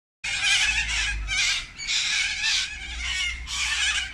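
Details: A large flock of sulphur-crested cockatoos feeding on gum blossoms in the afternoon gives harsh, raspy screeches, several overlapping in long rough bursts about once a second, over a faint low rumble.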